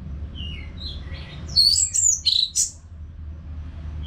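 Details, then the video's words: Orange-headed thrush song used as a training sound for caged birds: after faint high whistles, a burst of loud, varied, high warbled notes and sharp chirps, then quiet with low background hum. "ANIS MERAH GACOR TIADA HENTI TANPA NGETEM BAGUS BUAT TERAPI BURUNG AGAR IKUT NGEPLONG NYAUT"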